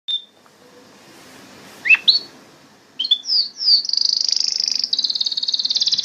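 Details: Canary singing: a few scattered high whistled notes and quick upslurred chirps with short pauses, then a long, fast, buzzy trill held high and steady to the end.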